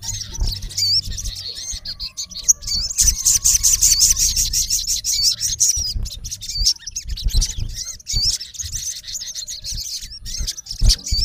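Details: In natural habitat, a male olive-backed sunbird calls to a rival with long, dense runs of rapid, high-pitched chirps and squeaky wavering notes, almost continuous, over soft low rumbling.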